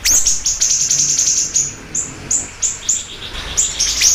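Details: Siri-siri bird in strong voice, as a lure and master: a rapid rattle of high chips at the start slows to spaced, ringing notes, then quickens again into sharp upslurred calls.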